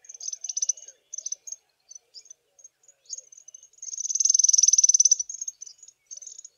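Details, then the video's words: High, clipped notes and short stuttering trills from a small group of African firefinches sitting in the sun on a chilly morning, building to a strong, fast buzzing trill of about a second before the sparse notes resume. "AFRICAN FIREFINCH songs"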